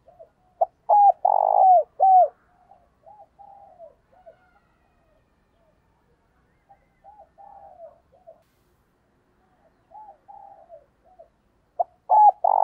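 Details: A decoy dove gives loud, throaty coos in bursts, with softer murmured coos between them; a cooing call used to train and stimulate other decoy doves.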